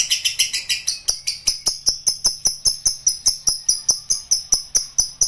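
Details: Lovebird giving a long ngekek trill: sharp high chirps repeated at a steady fast pace, about two to three per second, each with bright upper overtones, over a faint low steady hum.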